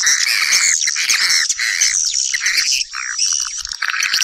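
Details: Swiftlets calling companions in to nest: loud, harsh squeaky chirps and trills in a crowded chorus, with some lower slurred notes near the three-second mark.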